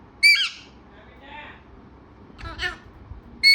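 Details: Talking parrot uttering a sharp harmonic squawk, a softer raspy syllable, then a pair of rough voice-like bursts, ending on another sudden shrill note.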